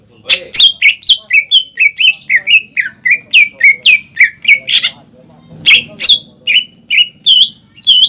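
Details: Energetic greater green leafbird song meant to be quickly copied by young birds: a long run of rapid, loud whistled notes sweeping downward, varied chirps between them, a brief gap midway, then more swift slurred whistles.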